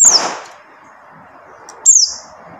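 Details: Buxtoni white-eye call for luring silent white-eyes into singing: two thin, high descending whistles nearly two seconds apart, set against broad rushing noise.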